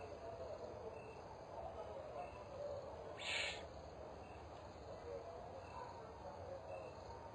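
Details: Mother Spotted eagle-owl (Bubo africanus) visiting her nest, 22 October 2010; a lone rasping hiss of under half a second stands out against a low, even noise floor.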